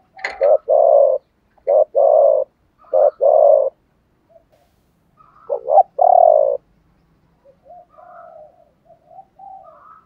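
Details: Male and female spotted doves giving "chiêu ba hậu" cooing meant to spur trained doves into song: three deep, mellow coo notes, a pause, another coo phrase, then quiet, softer cooing fading out.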